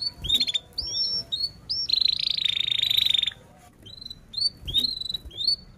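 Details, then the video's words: Singing canary, played to coax young or mute canaries into song; scattered high chirps and upslurs around a long buzzy rolling trill, with a few soft clicks and knocks in the background. "Kenari gacor cuit cuit NgeroL, Pancingan kenari paud belajar bunyi,Pancingan Kenari BISU Susah Bunyi"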